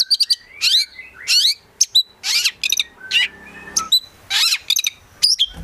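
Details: Collected prospect Oriental magpie-robin in vigorous full song packed with varied material, alternating harsh buzzy bursts with short piercing whistled notes and rising slurs, phrases coming about every half second.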